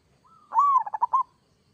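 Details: Local Zebra dove in kerot style, used to make other doves respond: one crisp phrase of a gently rising whistle leading into four evenly spaced, punchy coo notes.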